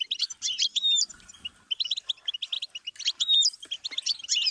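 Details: Goldfinch song stimulus for songbirds. Excited bursts of bright twitters carry drawn-out whistled notes and tinkling trills, broken by short lulls between phrases.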